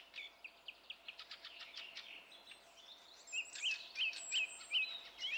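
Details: Song thrush song recorded 27 April 2016: a scratchy, twittering run of varied notes gives way to a bright flicked whistle repeated six times in quick, even succession.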